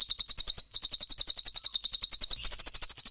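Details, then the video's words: High, sharp, rapidly repeated chattering notes from the cililin versus pelatuk bawang training recording for songbirds, with a brief hitch partway and a slight shift in pitch near the end. "TEMBAKAN RAPAT CILILIN VS PELATUK BAWANG"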